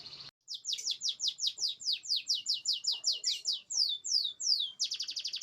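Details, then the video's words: Canary song played to coax silent canaries into singing: a fast series of bright, high, downward-swept whistled notes, about three per second, ending in a dense buzzy trill. "terapi ampuh kenari macet bunyi sekali putar langsung gacor cocok buat pancingan"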